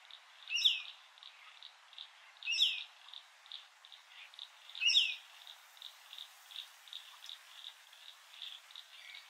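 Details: Rainbow lorikeets at Heatherdale Wetlands, recorded on a Canon R7: three loud, harsh, shrill screeches roughly two seconds apart, over a steady background of soft, short chattering notes repeated about twice a second.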